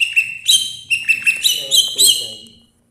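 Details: Greater green leafbird (cucak ijo) of the Banyuwangi type, kept as a song bird, giving a quick series of bright whistled and chirping notes that rise and fall, about eight phrases within under three seconds.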